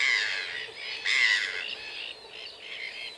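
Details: Red-gartered coot, Fulica armillata: harsh nasal squawks, with one louder, longer burst near the middle, then softer honking notes fading out over a faint steady hiss.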